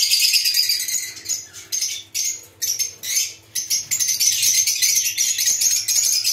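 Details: A lovebird colony chattering nonstop: shrill, high, overlapping chirps and squeaks with brief pauses, plus a faint low hum and rustling.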